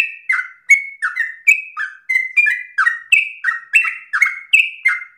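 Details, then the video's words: Yellow-vented bulbul in energetic song with long breath, a pattern billed as easy for other birds to imitate: fast strings of clear whistled notes, each bending downward, rising and falling in alternating pairs without pause. "Trucukan gacor ropel ngotot nafas panjang ini cengkok paling gampang ditiru trucuk bahan"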